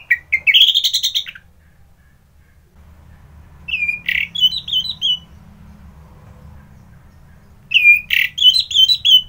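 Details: Orange-headed thrush from Bali singing in short bursts: a whistled rising phrase, then two brief runs of quick descending notes spaced by several seconds of quiet with faint low background hum.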